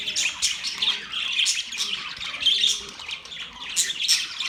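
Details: Budgerigars keep up a steady, busy warble of sharp high chirps and short squawks, many birds calling over one another.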